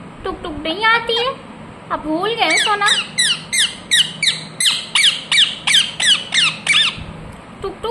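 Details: Pet ringneck parrot: a warbling, speech-like phrase leads into a steady series of piercing, falling screeches, about three per second, for roughly five seconds before stopping.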